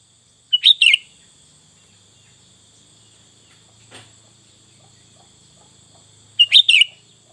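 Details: Sooty-headed bulbul singing in the full isian style, with fill-in phrases. Two brief bubbly chirped bursts, one near the start and one about six seconds later, with quiet between and a faint steady high tone behind.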